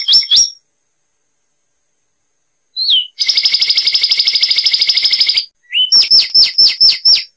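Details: Zapata wren of lowland Cuban shrubland, song used as a tutor recording: short slurred whistled notes, a pause, then a long, rapid, even trill held for about two seconds, followed by a series of quick descending whistled notes.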